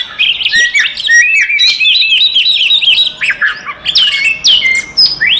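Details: Oriental magpie-robin fighting song, used as a lure to provoke other magpie-robins into anger: dense, varied run of whistled slurs, rising and falling notes and sharp chirps crowded between mid and high pitch, almost continuous.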